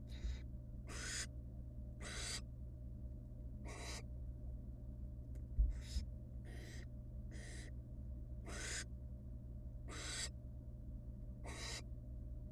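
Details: Nestling barn owls beg during a long rabbit feeding by the female in a wild nest box; around a dozen raspy hissing calls, repeated about once a second, with a soft bump midway and steady low hum.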